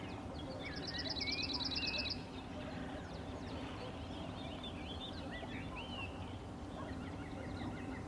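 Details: Cirl bunting rattles out a quick series of sharp, same-pitched notes for about one and a half seconds early on, followed by varied whistles and chirps from other birds over low rumble.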